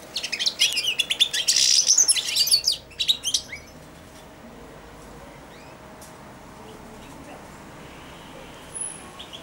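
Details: Young caged European goldfinch, four months old, babbling an early subsong while fed from a hand: a rapid twittering jumble of high chirps for three seconds, then quiet with one brief later note.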